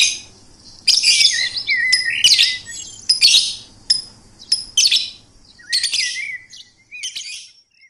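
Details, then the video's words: Rapid series of short, bright, chattering phrases mixed with thin whistles and trills, each burst under a second long, delivered in quick irregular succession. "Suara Burung Merdu"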